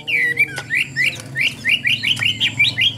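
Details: Caged Chinese hwamei in Vietnam gives short chirping whistled notes in a quick series, rising then falling, about three per second, with occasional sharp clicks and low background rumble.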